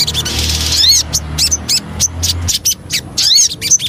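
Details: Lure song of the Javan cochoa, known locally as sogon: short, high, arched whistled notes spaced irregularly, with scattered sharp chirps and a low background hum early on.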